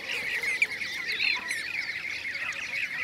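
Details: Blue-cheeked bee-eaters calling in Şanlıurfa, Turkey, in 2016; rolling, purring notes from several birds merge into a continuous chorus, with a few higher, thin notes above.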